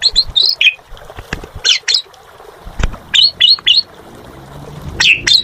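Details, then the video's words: Asian pied starling singing energetically (gacor): rapid squeaky whistles and harsh chirps in short bursts, with occasional clicks and low background noise. "Suara Burung Jalak Suren Gacor"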